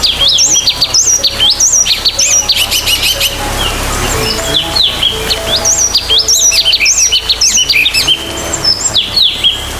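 Sultan tit giving bursts of high, squeaky chirps and sharp rising notes, repeated about every second, over a faint low steady tone.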